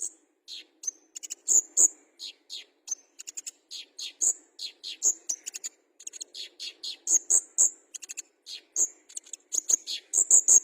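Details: Olive-backed sunbird of fighter type delivering a long run of high, sharp chips and thin whistles mixed with short buzzy descending notes, repeated in quick phrases.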